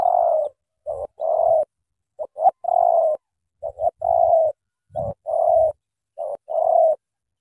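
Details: Loud spotted dove from Cà Mau, Vietnam, cooing steadily: brief lead-in notes, then a drawn-out mellow coo. The phrase repeats about six times in quick succession, with faint low knocking underneath.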